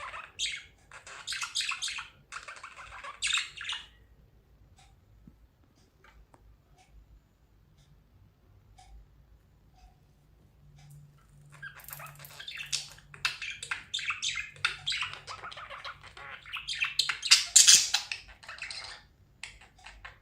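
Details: Happy budgerigars chatter while playing, in bursts of scratchy, high chirps and warbles, with a quiet pause between.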